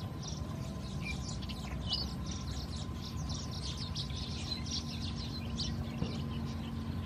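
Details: A juvenile Siamese pied myna follows its mother begging for food, a rapid stream of harsh, high chattering notes over low traffic rumble; Khao Yoi, Phetchaburi, Thailand, 18 August 2020.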